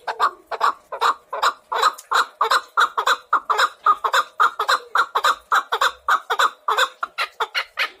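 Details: A chukar partridge delivers a steady, throaty clucking chant, rapid and slightly irregular, each note short and gravelly, repeated without pause throughout.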